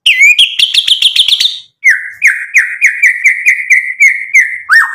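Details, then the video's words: White-rumped shama singing as a provoking lure: a quick run of bright, rolling whistled notes, a short break, then a steady series of slurred, downward-sweeping whistles repeated in rhythm. "MURAI BATU GACOR bikin EMOSI ampuh buat PANCINGAN biar NYAUT"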